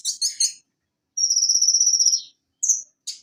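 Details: Several quick scratchy chips from a konin (Van Hasselt's sunbird), then a high, evenly pulsed insect-like buzzing trill lasting about a second, followed by short sharp notes.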